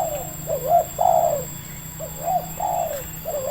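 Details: Wild local spotted dove with a medium voice, Indonesia, recorded during decoy trapping: several drawn-out arched coos, some rising then falling, spaced about half a second apart, over a low steady hum.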